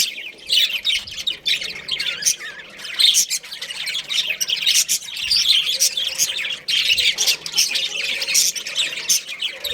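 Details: Budgerigars, a breeding pair and family, warble and twitter nonstop: bright squeaky chirps and rasping phrases layered densely, rising and falling in loudness over nearly ten seconds.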